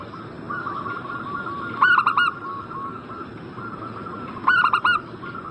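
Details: Zebra dove (perkutut) lure call aimed at a bird in breeding condition: two rapid cooing phrases about two and a half seconds apart, with a steady murmur of fainter coos from other doves around them.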